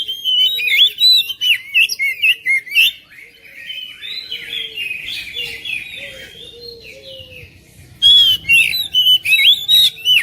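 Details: Oriental magpie-robin, a home bird whose song is used to coax quiet magpie-robins into singing; loud bursts of shrill chips and whistles open and close a softer middle stretch of sliding, warbled whistled phrases with faint low notes.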